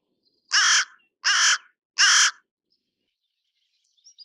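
A carrion crow gives three harsh, hoarse caws, evenly spaced about every three-quarters of a second, then falls silent apart from faint distant chirps.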